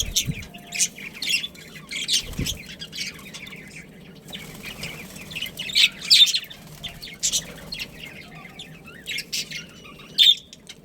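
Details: Budgies of a pet breeding pair give scattered high chirps and squeaks with pauses between, plus a soft flutter and a low knock near the start.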